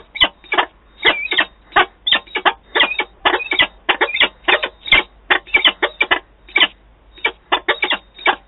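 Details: Adult pair of peregrine falcons meeting at a nest site in Wałbrzych, Poland, on 11 September 2022, recorded from a nest camera: harsh, grating notes repeated rapidly in uneven bursts of three to five, several per second, with brief pauses.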